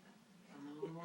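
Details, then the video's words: 20-year-old male Congo African grey parrot, which makes up his own songs, gives a low, drawn-out voiced note, almost moo-like, swelling and rising into a brief louder tone at the end. "FUNNIEST SINGING & DANCING PARROT ALIVE"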